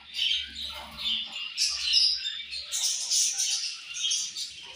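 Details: Colony of budgies chirping at morning feeding, overlapping high scratchy chirps and warbles throughout, rising in density midway.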